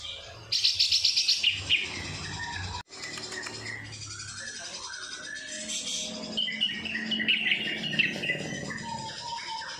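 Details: Varied, chattering song from a greater green leafbird filled with kapas tembak imitation, opening with a burst of high trilled notes, followed by scattered chirps and whistles, with an insect-like buzz in the background.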